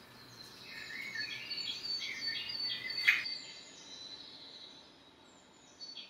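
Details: Common blackbird singing in the morning: warbled, fluty phrases rising and falling in the middle range over about three seconds, with higher twittering from other birds behind and one sharp click near the middle, then quieter chirps.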